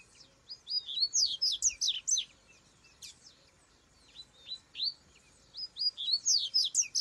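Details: Wild Rusty-collared seedeater in song, delivering fast runs of sharp high slurred notes in bursts separated by short gaps, with a few softer scattered notes between phrases.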